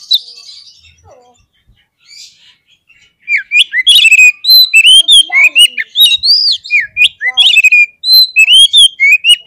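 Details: Oriental magpie-robin delivering an agitating song to provoke fighting birds: soft opening notes, then an energetic run of sharp whistles and upward-flicked phrases, repeated rapidly without break.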